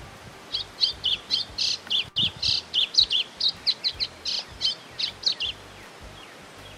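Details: White-throated seedeater, said to imitate many other species: a quick series of about eighteen short, bright chirped notes in steady rhythm for five seconds, then silence, with a faint low hum beneath.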